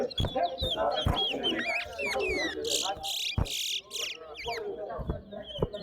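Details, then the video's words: A Large-billed Seed-Finch (towa towa) sings in a bird singing competition at Lusignan, giving rapid, varied, bright, high whistled and trilled phrases over a murmur of people talking and counting nearby. "TOWA TOWA BIRD SINGING COMPETITION"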